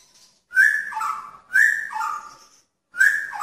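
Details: Male magpie-robin in a pairing cage calling to a female: loud two-part whistles, a higher note sliding down to a lower one, repeated roughly every second and a half.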